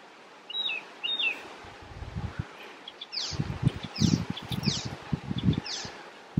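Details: Icterine warbler singing in Västerbotten, Sweden, on 27 June 2021: short sharp chirps and quick downslurred notes, with loud low rustling and knocking through much of the recording.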